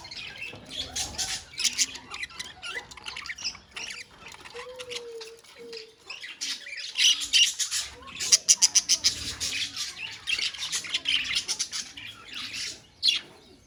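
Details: Budgerigar colony chatter of rapid high chirps and squawks. A run of quick, evenly repeated sharp notes stands out midway, and one short steady tone is also heard.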